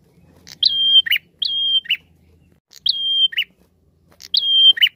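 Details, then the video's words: Energetic prinia singing, used as a lure song. Long flat whistles, each clipped off by a scratchy descending chirp, come in pairs and then a single phrase, with faint low rumble early on. "Suara Pikat Prenjak Gacor"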